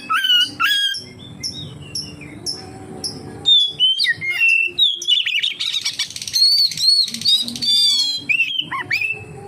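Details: Oriental magpie-robin singing to coax other magpie-robins into song: repeated short whistled notes, then a dense warbling sequence of rising and falling whistles and buzzy trills.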